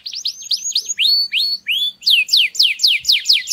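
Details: Mating song of a canary: quick rising chips give way to long upward-slurred whistles, then a series of crisp falling notes repeated about four times a second, high and piercing throughout.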